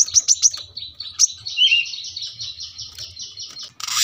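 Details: ['Brown-throated sunbird masteran song from a house beside a road: a few sharp chips lead into a sustained wavering high warble, ending in a loud burst of broadband noise.']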